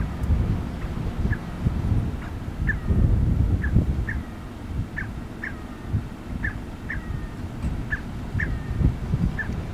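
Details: Scaled quail calling in Big Bend NP, Brewster County, on 21 May 2015. The calls are short, nasal, mid-pitched notes, about two a second, in loose series over a steady low wind rumble.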